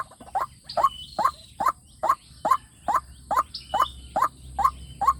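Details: Decoy recording of a white-breasted waterhen meant to lure wild waterhens into fighting: about a dozen evenly spaced, clipped, hollow notes at around two per second, with thin bird whistles faintly in the background.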